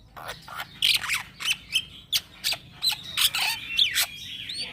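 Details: Young black-winged myna in 'gacor ngeroll' song, used as a lure for training birds: harsh, broadband rasping bursts alternate with brief high whistled notes, delivered in rapid, uneven sequence.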